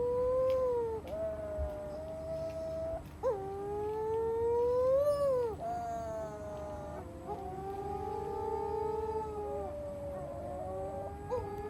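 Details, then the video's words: Nocturnal storm petrel chicks, the Matamanoa bird, calling from bushes on Matamanoa Island, Fiji, breeding site; a series of sustained, cat-like moaning wails, each swelling upward then bending down, repeated with brief gaps. "Matamanoa Bird Sounds"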